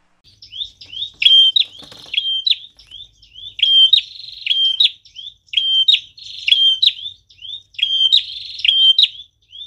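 A prinia sings loud, high, sharp notes in quick repeated bursts, each run lasting about a second with short gaps between; nothing else is heard.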